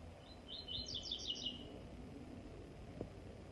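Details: A double-collared seedeater gives a short phrase of high, evenly spaced chirping notes, about one second long, over steady low background noise.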